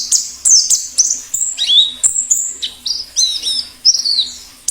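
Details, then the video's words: Wild white-eye singing in the 'ngalas' style, used to prompt captive birds to sing and to lure wild ones: high, thin whistled notes, many sliding sharply downward, given in quick irregular bursts over a faint steady low hum. "Suara plengi ngalas || perangsang bunyi cocok untuk masteran pleci dan pikat burung pleci liar"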